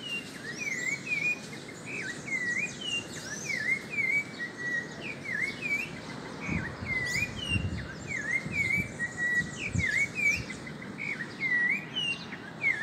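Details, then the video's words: Great kiskadee in a backyard, feeding on insects among other free birds; short whistled swooping notes repeat roughly every second, while higher chirps from other birds sound throughout over steady background noise. "Bem ti vi se alimentando de insetos"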